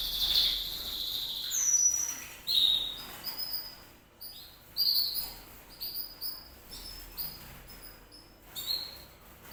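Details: Canary singing: clear, high whistled notes and short downward-slurred phrases, separated by brief pauses and interspersed with quick chirps over roughly ten seconds, against a faint background hiss.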